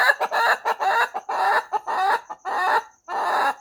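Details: Chicken in the morning, a loud series of harsh, throaty clucking bursts, about eight in under four seconds, each with a buzzy, broken texture.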